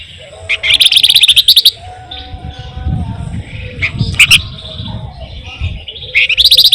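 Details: Flamboyan singing energetically, used as a lure for songbirds: bursts of rapid high buzzy trills, with softer chattering notes and a steady low hum between them.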